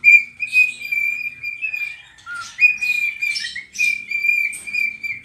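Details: Pet cockatiel dancing and singing: an almost unbroken run of level whistled notes with small pitch steps, cut by scratchy chirps and one brief low note.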